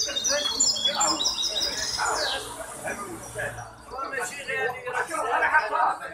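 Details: A hybrid goldfinch sings in competition at the Ain Chock association on 23 May 2021. It gives a burst of high chirping trills and a falling sweep, then softer twitters, with people talking loudly throughout.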